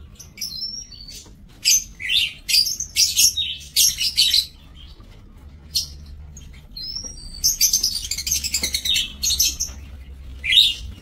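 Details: Aviary lovebirds, 5 July 2024: repeated shrill chattering bursts and a few short rising whistles, grouped in lively runs with silent gaps over about eleven seconds.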